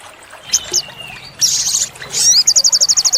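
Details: Olive-backed sunbird (sogok ontong), a lively training song for caged birds with tembakan fills: scattered high chirps and a thin whistle, a bright burst, then a rapid run of about twelve evenly spaced sharp high notes.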